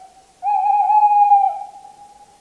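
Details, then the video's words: A single drawn-out, even-pitched hoot from a Tawny owl, lasting over a second with a faint slight waver, then trailing off in reverberation against a silent background. "Canto da Coruja-do-mato (Strix aluco)"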